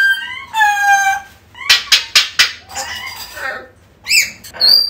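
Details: Mixed calls of an African grey parrot meant to recall a lost bird: a long harmonic tone, a burst of sharp clicks and buzzy chatter, then a high rising whistle.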